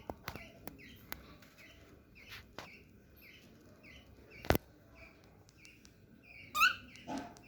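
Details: Small cockatiel walking for the first time, producing soft repeated chirps among sharp clicks and taps, then a louder rasping squawk near the end.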